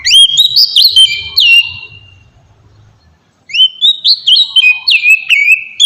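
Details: Song of an oriental magpie-robin meant to trigger responses from rival birds: rapid bursts of upslurred whistles and trills, a silent gap of more than a second, then another lively whistled phrase.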